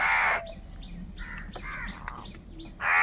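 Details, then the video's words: Crows in a group, angry and fighting over food, give very loud, harsh, broadband caws: one burst opens and another closes the moment, with softer, scattered calls from other birds between them. "Very loud voice of Crow sound - Crow sound of kaka | Crow bird unity anger and sound for food"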